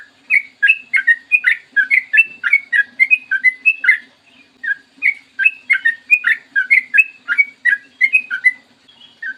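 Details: Steady morning singing from a trucukan (yellow-vented bulbul), recorded as a lure for kept bulbuls: nearly continuous bubbly whistles in rising and falling pairs, one short pause, faint low hum behind.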